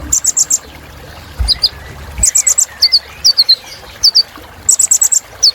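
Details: Kolibri Ninja sunbird giving a rich filler song meant to make other caged birds lively: very high, thin notes in rapid clipped trills of three to five, alternating with paired downslurred tsip notes, phrases repeated every second or so, with faint low rumbling.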